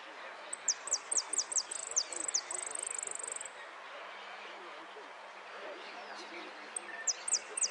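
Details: Goldfinch competing in a singing contest in Lanús: a rapid series of high, sharp chirps, then a sustained ringing trill, a pause with murmuring voices, and a few more high notes at the end.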